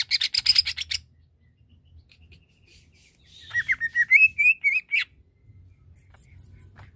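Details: Greater green leafbird song used to provoke another leafbird's aggression: a rapid burst of harsh, buzzy chatter, a pause, then a run of clear, slurred whistles wavering upward and ending in a sharp note.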